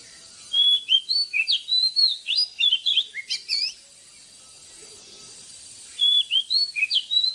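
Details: Oriental magpie-robin morning song for training caged birds: two bursts of clear, wavering whistles and chips at about four notes a second, divided by a silent gap, over faint steady hiss.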